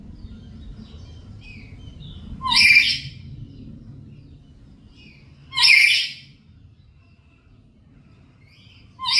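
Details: Black-capped lory kept at home, recorded as a lure to draw other birds into calling: loud, harsh, broadband screeches repeat about every three seconds, with quiet low hum between them.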